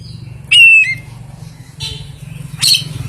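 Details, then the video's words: Oriental magpie-robin's unusual song with rare filler phrases: a loud, clear, sustained whistled note, then a softer buzzy phrase and a sharp, harsh chirp, each separated by short pauses. "Suara kicauan KACER yang aneh, & isian yang sangat LANGKAH"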